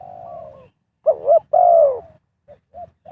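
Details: Spotted dove calling wild birds in during trapping: a drawn-out falling coo, then a quick double swoop and a long, rough, descending croo, followed by short soft notes.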